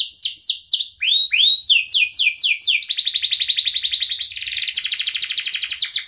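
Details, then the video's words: Canary singing as a lesson for young canaries, starting with repeated falling whistled notes and rising swoops, then switching to a long rapid buzzing trill. "kenari gacor panjang Cuit Cuit EMOSI, Pancingan Kenari Paud Belajar Bunyi"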